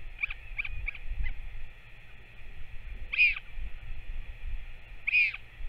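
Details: Northern royal albatross at a nest on 21 May 2024 as a parent returns to feed its chick: a few quick soft notes, then two high arched wailing calls about two seconds apart over a steady hum and low rumble.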